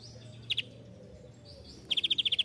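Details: Van Hasselt's sunbird (kolibri ninja) on a master recording for training songbirds: a faint pair of high notes, then a quick run of eight sharp, evenly spaced high chips.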